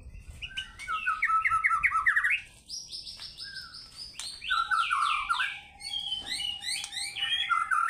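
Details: Fighter-style White-rumped shama in full voice and showing off its repertoire: quick chattering notes, then high sustained whistles, rich warbled phrases and sharp ticks, without a break.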